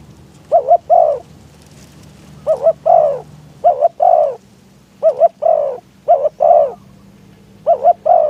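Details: Decoy spotted dove calling in strong wind to lure wild doves to a trap: two-part coos, a quick doubled note then a longer falling croo, repeated in five phrases with soft low rumble beneath.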